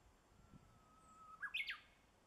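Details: Spring song of a Japanese bush warbler in a Boso village, Japan, 10 April 2013. A long, low, level whistle is held for about a second, then breaks into a quick, higher, bright two-part phrase. Soft low rumble underneath.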